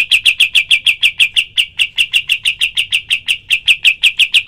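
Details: Rapid series of sharp, high, evenly spaced chips from a kapas tembak bird, about four per second throughout, in a clean, quiet recording used to train other birds.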